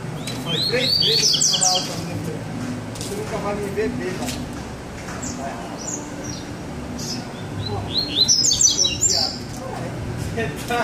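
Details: Two double-collared seedeaters: bursts of fast, high, sharply slurred chirps around 1 second and again near 8–9 seconds, with a man talking underneath and low background rumble.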